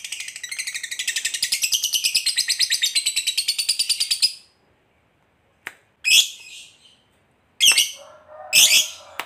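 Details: Lovebird fighter starting a long ngekek chatter of quick rasping high notes that speeds up, then breaks off into silence, followed by a few separate sharp chirps and a short hum.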